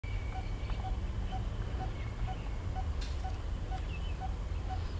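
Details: A coppersmith barbet at Punggol Seventeenth Avenue, Singapore, repeats a low, hollow 'tuk' about twice a second, ten even notes in a steady rhythm, over a deep rumble of traffic.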